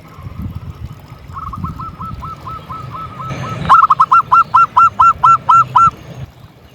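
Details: Local zebra dove calling steadily to stir other doves: a soft, distant series of hooked coos rises to a louder close run of about eight evenly spaced notes, with low background hum.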